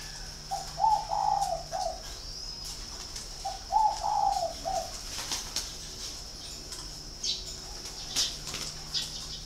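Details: Spotted dove kept at a bird farm in Ba Vì, Hanoi, Vietnam, giving two mellow mid-pitched cooing phrases about three seconds apart, each a run of soft rolling notes ending lower; a steady high hiss runs throughout.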